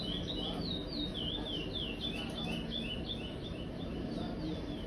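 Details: Brown young chestnut-bellied seed finch, five months old, aviary bird, singing the praia song style: rapid, even run of high slurred chevron notes, roughly four per second, over a constant low rumbling background hum.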